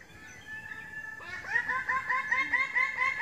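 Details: Greater bird-of-paradise (Paradisaea apoda) begins a rapid series of loud, nasal, harmonic notes after a quieter stretch, each note slightly arched, repeated a little more than twice per second and growing louder toward the end.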